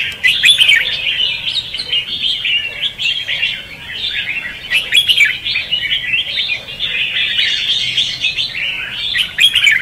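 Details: Red-whiskered bulbul in 'hót ché' and 'xòe' competitive singing, a decoy song for trapping and for training bulbuls to sing: dense, chattering warbled phrases with sharp high notes, running almost without pause, loudest near the start and end.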